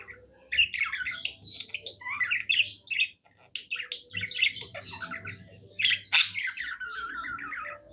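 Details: Happy pet budgie warbling: a varied flow of chirps, buzzy chatter and a sharp squeak followed by a long rasping rattle, brief pauses between phrases, light background hum.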